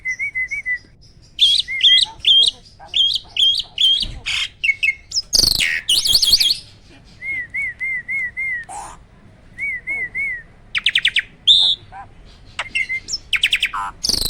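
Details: Prize-winning caged starling from a bird farm, kept as a song master, delivering loud, fast song: repeated wavering whistled phrases, rapid chattering bursts and harsh rasping notes in quick succession.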